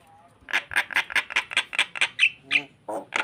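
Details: Starling bobbing its head while singing to entice another bird: rapid rasping squawks about five per second, two clearer whistled notes, then more harsh bursts.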